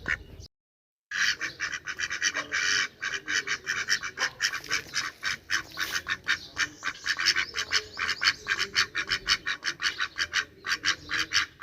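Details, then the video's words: Ducks quack loudly and almost without pause, a dense, raspy chorus of short overlapping calls running on after a brief silent cut. "Duck Quack Quack Cute Sound || Quacking Sound Of Duck || Ducks Quack Quack Loud Sound"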